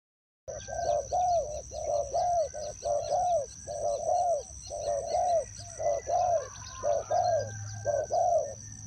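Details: Spotted dove used as a decoy bird at a trap, giving loud repeated coos around one a second, each a short arched note with paired phrases, against a steady high electronic whine and low background rumble.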